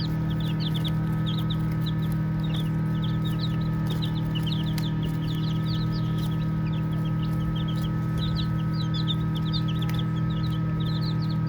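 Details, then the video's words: Playing baby chicks chirp almost nonstop, many thin high peeps overlapping in irregular clusters of rapid short notes, about four per second, while a constant low droning hum runs underneath. "Baby Chicks Chirping Sounds"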